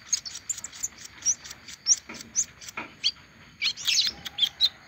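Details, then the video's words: High-pitched song from an olive-backed sunbird finished with its moult: quick repeated bright chips, a couple of lower rasping notes, and a dense twittering flourish near the end. "Kolibri ninja selesai rontok masih mau bunyi"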